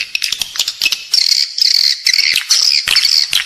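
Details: Edible-nest swiftlets lured with calls used inside a building: quick clicking chirps leading into sustained buzzy twitters, with short breaks between bursts.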